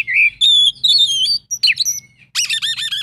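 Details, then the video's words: Kacer, or Oriental magpie-robin, giving an 'isian full' song: clear sustained whistles, then sharp slurred notes, ending in a rapid buzzy chatter. A faint low hum runs underneath. "kacer isian full"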